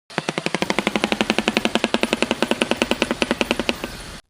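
A shoebill clatters its bill in a rapid, steady burst of about thirty hollow wooden clacks over four seconds, like machine-gun fire. No other sounds are heard.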